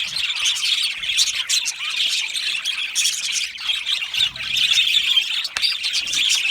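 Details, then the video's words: Budgerigar chatter fills the recording: steady high-pitched twittering and squeaky warbling from many birds, with loudness swelling and dipping but never stopping. "Australian Budgie parrot chirping sounds"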